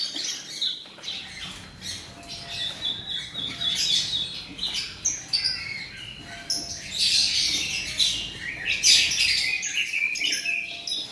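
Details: A male robin sings a lively, high chattering song of quick chirps and short whistled notes, growing louder and more rapid toward the end.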